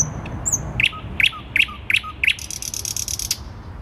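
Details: Thrush nightingale singing in central Warsaw, Poland, on 12 May 2020: a few high thin notes, then five loud, evenly spaced clicking notes, each followed by a short low tone, ending in a fast dry rattle. Low city rumble underneath.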